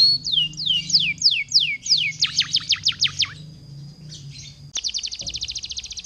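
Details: Lure song of a constantly singing canary meant to set other canaries singing: a series of down-slurred whistled sweeps about three per second, then sharper deep-dropping notes, a short pause, and a fast buzzy high trill, with a low hum beneath.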